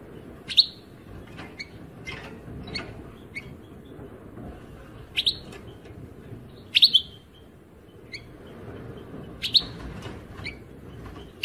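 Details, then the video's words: European goldfinch song: short, bright high chirps with sharp downward sweeps, sounding in little clusters every second or two over a steady low hiss. "Chant chardonnerent"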